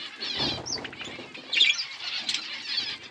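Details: A flock of budgerigars eating food: overlapping high chirps and warbling chatter with a brief flutter of wings near the start and a louder squeaky burst midway.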